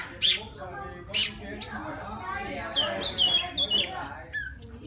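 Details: Oriental magpie-robin from the forest, singing to call a mate: two soft rising notes, then a busy cascade of high, sharp whistles and chips. Muffled low sounds stay underneath.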